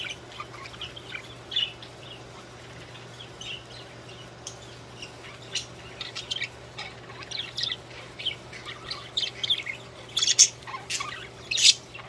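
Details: Singing budgerigars: sparse, quiet high chirps at first, growing into louder squeaky bursts toward the end, over a constant low hum.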